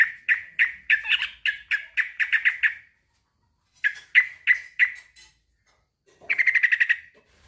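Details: Calling a rival, a male sooty-headed bulbul repeats loud chirpy downslurred notes in a steady series, pauses, repeats a shorter series, then ends with a fast buzzy chatter.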